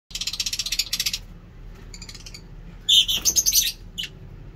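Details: Lovebirds in a breeding cage: rapid bursts of harsh, high chirps in quick series, then a louder shrill chattering run of squeaky notes, over a steady low hum.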